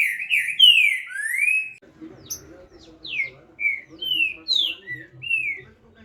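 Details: Green-winged saltator opens with loud slurred whistles, then continues with softer, scattered whistled notes while low murmuring sounds run underneath.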